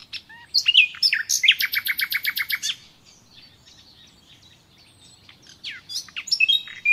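A nightingale sings rich whistles, then a fast rattling run of about a dozen identical notes, a pause, and a burst of sharp, varied phrases.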